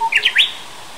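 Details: Japanese bush warbler at Ungok Wetland, South Korea, on 2 May 2016: a brief low whistle leading into three loud, quick, high slurred notes, the last one longest; a man says thank you afterwards.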